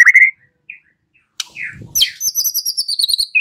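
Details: White-rumped shama song played as a lure to draw an answering bird: a short clear whistle, a pause, then a buzzy burst and a rapid run of high thin twittering notes.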